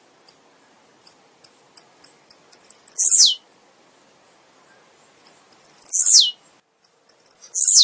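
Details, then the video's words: Blue-black grassquit song: a run of high, sharp ticking notes speeding up into a loud, buzzy, downward-sweeping burst, repeated roughly every three seconds with brief silences between; no other clear sounds. "Canto do TIZIU"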